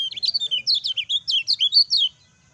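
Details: Song of a lively lemon-bellied white-eye used as a master to rouse reluctant birds into singing: fast run of bright, high, wavering chirps with rising and falling slurs, ending abruptly after two seconds.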